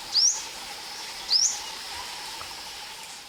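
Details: Ornate Sunbird in Thailand, at a hide with drinking and bathing birds, giving two quick, thin, rising notes just over a second apart, then quiet apart from a low steady hum and soft background hiss.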